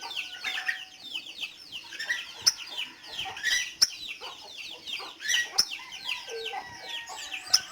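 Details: Sunbird song: rapid, high twittering and chirps, with thin whistled lines and sharp clicking ticks scattered through.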